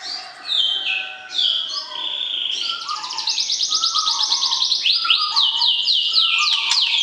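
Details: White-rumped shama kept in a cage and paired before breeding, calling to stir the opposite sex: varied whistled phrases open the song, then a fast run of repeated sweeping notes over lower, softer warbles.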